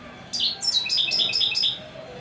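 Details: European goldfinch in song: a burst of rapid, tinkling twittered notes with quick buzzy trills, lasting about a second and a half.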